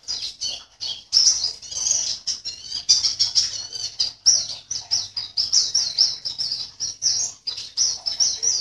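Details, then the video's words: Caged Javan white-eye (pleci) from Sambas, West Kalimantan, entered in an online singing competition: rapid high-pitched twittering song of thin chirps and warbled trills, delivered in near-continuous bursts with brief gaps, some faint wing flutter. "LOMBA PLECI ONLINE 16 - Aksi Pleci"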